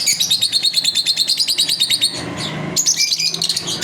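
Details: Chirping pet lovebirds during their daily routine: a steady run of quick, evenly pulsed shrill notes, followed after a short break by a higher squeaky burst.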